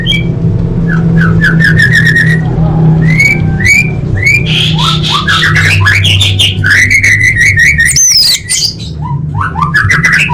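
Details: Orange-headed thrush song full of fillers, for big contests: a continuous flow of varied rising whistles, trills and slurred phrases, changing every second or so, over a steady low hum.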